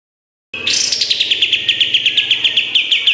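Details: Olive-winged bulbul (kapas tembak) master song for training songbirds: a high rising opening whistle, then an even string of rapid, ringing chirps repeated about four times a second.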